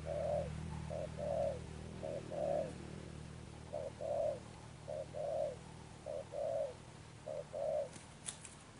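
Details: Spotted dove, a wild-caught bird, in Đồng Pha Sấm style with Sấm Thổ cooing tone: paired coos, short note then a rounder longer one, repeated about every second, low hum and a faint high tinkle at the end.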